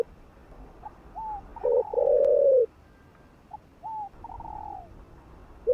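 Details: Spotted dove cooing to stir other doves into calling. Low, hoarse stuttered coos mix with higher, thinner notes that slide downward, and a quiet pause falls midway.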